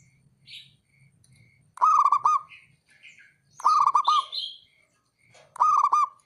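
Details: Calling male local zebra dove, a call meant to provoke rivals: three loud bursts of quick trilled cooing notes every two seconds, with high thin chirps from other small birds in between.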